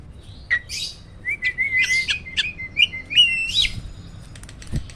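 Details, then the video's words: Caged hybrid starling, Asian pied crossed with black-winged starling, in roll tembak song: buzzy chirps blending into a rolling run of whistled notes with a few sharp upward flourishes, ending in faint clicks. "BURUNG JALAK HYBIRD || GURU VOKAL SUARA ROLL TEMBAK."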